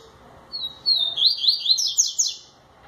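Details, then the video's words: Coleiro baiano singing its 'tui tui zel zel' song: a long high whistled note sliding into a fast run of sharp, buzzy, rising and falling notes lasting about two seconds, in a quiet background. "Coleiro baiano tui tui zel zel !!!!"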